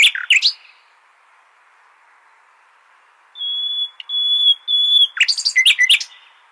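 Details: Common nightingale song used for training goldfinches. A short harsh phrase is followed by a long silence, then three sustained pure whistled notes on one pitch and a quick burst of varied sharp notes.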